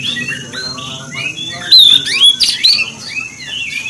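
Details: Oriental magpie-robin song meant to provoke other magpie-robins, varied whistles building to loud sharp high notes and squawks in the middle, then softer warbling.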